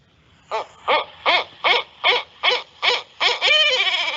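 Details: A recorded barred owl call of the "who cooks for you" type: eight rich, nasal hoots about every 0.4 seconds, ending in a longer drawn-out note.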